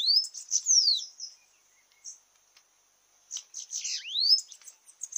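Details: Sibite (Bananaquit) at a campiada singing contest delivers high sizzling notes with a falling slur, a quiet gap, then a buzzy cluster ending in a rising whistle.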